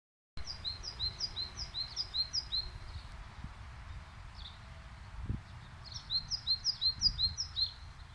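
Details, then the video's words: Birdsong in spring, April 2021, Gomel, Belarus: two bursts of high, repeated paired chirping notes, each phrase lasting a few seconds, over a steady low rumble of background noise. "Весеннее пение птиц."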